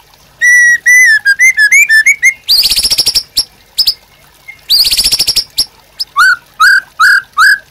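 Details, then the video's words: White-rumped shama song used as a master recording for training caged birds: clear whistled phrases near mid pitch, then fast high rattling trills in bursts, ending with repeated rising slurred whistles. "MASTERAN MURAI BATU GACOR AMPUH UNTUK PANCINGAN DAN MASTERAN MURAI BATU JADI GACOR"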